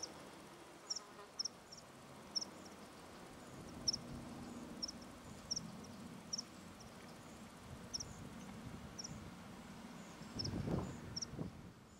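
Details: A meadow pipit, just seen feeding a young cuckoo, gives thin, high 'tsip' calls, roughly one or two a second, over a low background rumble with a brief gust or thump near the end.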